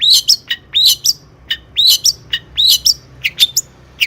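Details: Long-tailed shrike giving a tutor song meant to train other birds, delivered in the lively 'gacor tembakan' manner: loud upslurred whistles alternating with sharp clipped notes in quick, uneven phrases.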